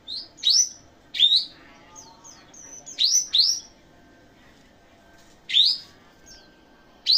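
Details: Cucak jenggot, locally called kapas tembak, gives emphatic rising whistled notes, single or doubled, mixed with short high chips, with irregular gaps between bursts.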